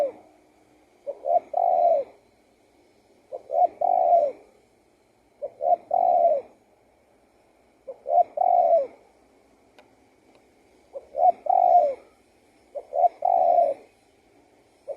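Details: Spotted dove song repeated steadily, about seven low three-part cooing phrases, each a short note, a coo and a longer hoot, coming roughly every two seconds with faint background hiss.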